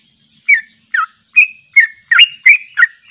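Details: Sooty-headed bulbul, long unedited song used for training: spaced slurred whistles that speed up into a run of bubbly notes, about three per second.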